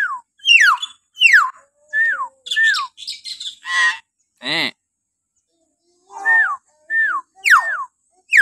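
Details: Common hill myna giving shrill morning calls, used as a lure to get captive mynas calling. Loud whistles sweep sharply downward, repeated roughly every half second, broken by a few harsh squawks and a brief pause.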